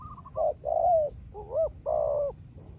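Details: Spotted dove trading calls with a rival wild dove. Faint higher, quick coos from the distant bird lead into loud nearby mellow coos: a short note, a long gliding coo, a rising coo, then another long coo.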